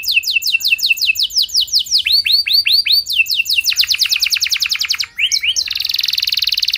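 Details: Canary in energetic song intended to draw other canaries into singing: repeated descending whistled notes, a few slower looping phrases, quick clipped chirp series, then a sustained high buzzy roll.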